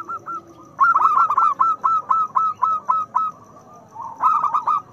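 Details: A loud local zebra dove, used as a lure to prompt reluctant doves to sing, gives rapid, clipped cooing notes, about four a second, in bursts with short pauses between phrases.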